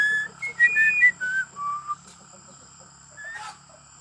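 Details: Pet talking Javan myna producing a quick run of pure whistled notes that step downward over about two seconds, followed by near silence and a faint final note, with a constant thin high whine in the background.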